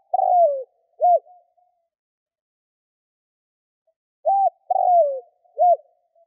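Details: Spotted dove cooing to lure wild doves: two three-part phrases about four seconds apart, each a short arched coo, a longer rolling coo sliding downward, then a short arched coo. Quiet background.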